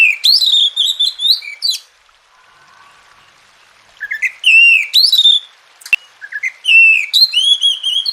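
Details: Oriental magpie-robin masteran song, played as therapy to turn a lazy, quiet bird into a loud singer: bursts of clear rising and falling whistles, then a near-silent pause with a faint low hum, then fresh whistled phrases and a sharp click.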